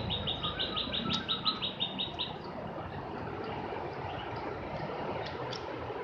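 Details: Javan grey-throated white-eye, locally called opior jawa or cak gentong, giving a quick string of short, high, evenly spaced chirps for about two seconds. The rest is a steady background hiss with a few faint distant notes.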